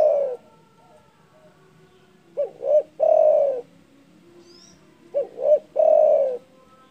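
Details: Loud spotted dove call that provokes rival birds, phrased as two short rising notes then a long husky coo, repeated twice about three seconds apart.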